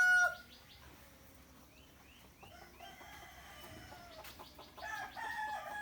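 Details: Roosters crow back and forth in the morning in long, strained harmonic calls, some near and some distant, while small birds chirp and twitter in between.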